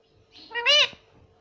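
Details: A pet green ringneck parrot gives one short, clear, voice-like word, rising then dropping in pitch, mimicking "mummy" in a nasal, slightly squeaky tone. Nothing else is heard.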